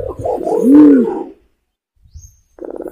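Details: Imperial pigeon lure call: one deep, arching booming coo swelling and fading over about a second, then a brief gap before quick low pulsed notes begin.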